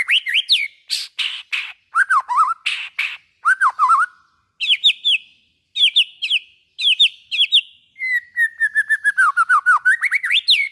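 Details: White-rumped shama singing, used to stimulate other shamas: varied loud whistled phrases mixed with harsh rasping bursts, repeated slurred notes in groups, and a long closing run of rapid notes that dips then rises.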